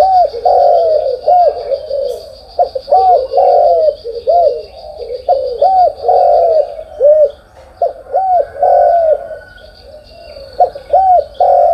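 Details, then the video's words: Morning cooing of spotted doves: a dense run of short arched coos, some overlapping as if from more than one bird, in bursts with brief quieter gaps, with a faint high background hiss. "cu gáy sáng"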